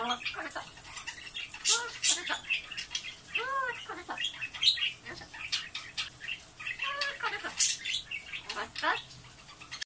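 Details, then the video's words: Blue-fronted amazon at home chattering in human-like words, repeating "otsukaresama" and bossily asking for its water to be changed; rapid mixed syllables, squawky bursts and rising-falling tones throughout. "アオボウシインコ ドスのおしゃべり あー疲れた8連発の巻"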